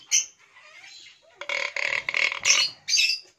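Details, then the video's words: Hill myna kept as a talking bird, producing rapid pulsed harsh squawks, several loud choppy bursts in quick succession after a brief high note, with a person speaking Hindi nearby. "Amazing Talking Hill Myna"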